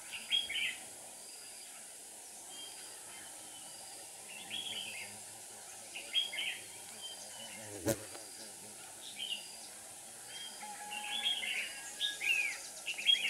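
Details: Decoy red-whiskered bulbul singing during a trapping session on 7 April 2019: irregular bursts of bright, slurred warbling notes spread across the recording, with a sharp tap midway and constant rural background hiss.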